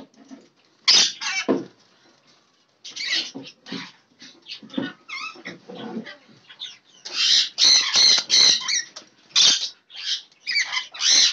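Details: Lorikeets eating apples during a fruit meal, giving harsh, screechy chattering calls in quick bursts with short scratchy notes between louder shrieks.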